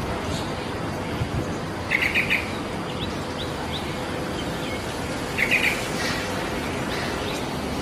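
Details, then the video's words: In the wild, a yellow-vented bulbul delivers two quick bubbling, chattering phrases several seconds apart, with faint scattered chirps from other birds and a steady noisy outdoor background. "𝗕𝘂𝗿𝘂𝗻𝗴 𝗧𝗿𝘂𝗰𝘂𝗸𝗮𝗻 𝗕𝘂𝗿𝘂𝗻𝗴 𝗧𝗿𝘂𝗰𝘂𝗸 𝗞𝗶𝗰𝗮𝘂 𝗔𝗹𝗮𝗺 𝗟𝗶𝗮𝗿"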